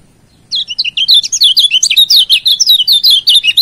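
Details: Lombok kecial kuning white-eye singing a master song meant to provoke rivals: a fast, unbroken stream of high, sweet chirps and twitters, jumbled and varied in pitch, sustained throughout.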